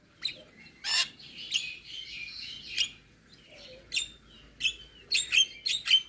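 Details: Javan myna (jalak kebo) singing full isian song: scattered sharp clicks and scratchy buzzes with a brief low squeal, then bright chirps bunched near the end.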